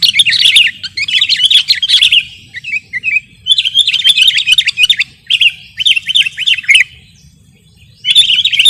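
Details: Sooty-headed bulbul chatter used for luring and tutoring birds: loud, slightly harsh bursts of rapid chirps in phrases of about one second, separated by short pauses and one longer silence before a final burst.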